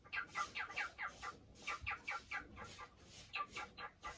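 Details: Male pet cockatiel, hatched October 2019, chattering indoors while waiting to be played with during house cleaning; quick run of harsh, buzzy chirping notes, about three to four per second, with brief pauses, fairly loud and close.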